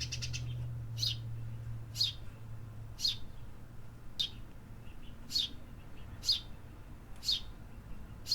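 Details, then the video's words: Singing city birds: sharp high chirps at a steady pace of about one per second, with a low engine-like hum fading early on. "Urban Birds Sound Effects"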